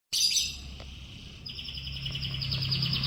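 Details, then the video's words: Yellow canary in the morning: a sharp, bright, high trill that gives way to steady, rapidly repeated whistled notes, over a constant low hum. "Burung Kenari Kuning di PAGI HARI"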